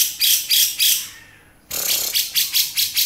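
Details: Beset-style singing of a male grey-cheeked bulbul: three harsh buzzy notes, a brief pause, then a quicker series of rasping chatters.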